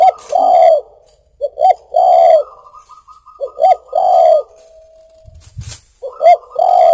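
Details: Spotted dove song used as a lure: repeated low cooing phrases, each two short rising-falling notes and a long rolling coo, with a soft quavering hum between phrases and a brief knock.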